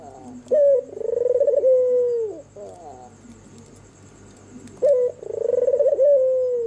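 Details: Albino white turtle dove with red eyes cooing at night, sweet and mellow: two loud bursts, each a short rising note then a long rolling, trilled coo that slowly falls away, separated by a quiet pause.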